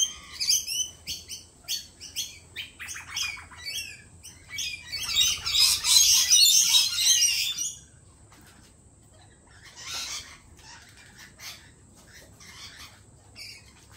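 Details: Lorikeets at a lorikeet cafe give fast, repeated chattering notes, building into a dense, loud screeching flurry lasting a few seconds, then scattered raspy calls as it quietens.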